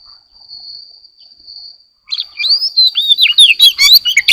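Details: Morning song of an Oriental magpie-robin: after two seconds of near silence with a thin steady high tone, a rich run of loud whistles, slurred rising and falling notes and quick chattering phrases begins.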